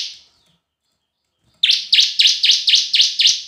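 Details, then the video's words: Bar-winged prinia giving a semi and kristal lure song. The end of one phrase fades out, then after a pause comes a series of seven loud, bright, evenly spaced chirps. "Suara Pancingan Ciblek Semi & Kristal"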